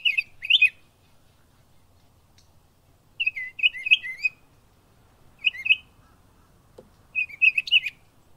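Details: Northern mockingbird in Florida delivering short bursts of two or three sharp, chirpy notes, each burst separated by silent gaps of one to two seconds.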